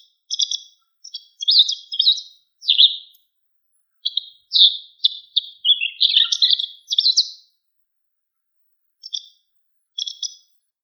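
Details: White wagtail calling: short, high, sharp chirps in quick clusters through the first seven seconds, some sliding downward, then a pause and two lone chirps near the end; no other sounds.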